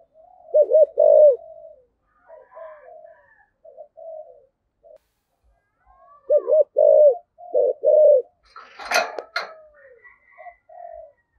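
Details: Calling coo of a spotted dove in the 'giọng thổ' (cúc đình) voice style: loud deep doubled coos between softer murmured notes, repeated several times, with a brief rustling clatter near the end.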